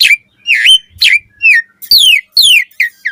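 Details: Morning song of an Asian pied starling, used as a lure to get starlings singing: loud, rich whistled notes, some dipping and some falling, delivered in a steady run of about seven phrases, each roughly half a second apart.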